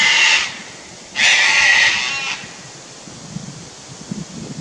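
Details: One of a nesting pair of sulphur-crested cockatoos, upset by a lace monitor in a tree near their nest tree on the Fraser Coast, Queensland, Australia, gives two harsh, raspy screeches, short then about a second long, then quieter low rumbling.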